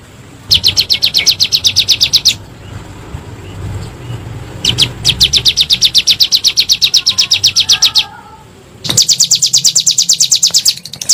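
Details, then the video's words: Ciblek gunung or bar-winged prinia, 'nembak' lure sound used to get kept birds calling again: three long bursts of rapid, thin, high chirps divided by quiet pauses with faint background hum. "PANCINGAN SUARA BURUNG CIBLEK GUNUNG NEMBAK"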